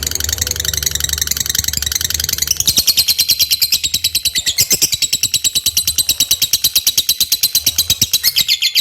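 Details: Lovebird in loud, energetic song used as a lure: a fast, harsh, buzzy chatter of rapid notes, roughly three per second, becoming a steady rattling trill after the first few seconds.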